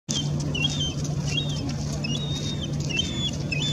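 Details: A first-year glaucous-winged gull, about 9 months old, begs its parent for food, which coughs up a morsel, with thin, high whistles, each rising then sliding down, repeated about every second over a steady low engine hum.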